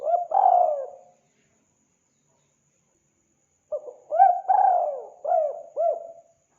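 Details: Lure recording of spotted dove cooing, played to draw in wild doves: a husky, low phrase, a pause of over two seconds, then a run of four or five coos, each with a rising start and a falling end.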